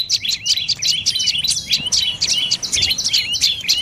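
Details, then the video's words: High repeated chips from a dark-necked tailorbird, northern Thailand, each note a quick squeaky downslur, delivered at a brisk regular pace across the whole stretch. "เสียงนกกระจิบคอดำDark necked Tailorbird Sounds"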